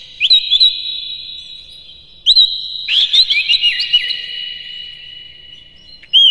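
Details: Oriental magpie-robin singing in the morning to stimulate captive birds: short whistled phrases, then a longer varied run of trills and slurred notes, ending in another sharp whistle.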